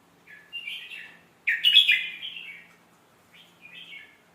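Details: Red-whiskered bulbul song meant for tutoring young birds: a soft warbled phrase, then a louder, richer burst of slurred whistles, followed by a quiet closing phrase after a pause.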